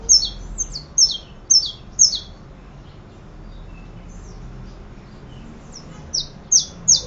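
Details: Saffron finch giving five quick, high, downslurred chirps in a row, falling silent for several seconds, then starting a new run of loud chirps; quiet background.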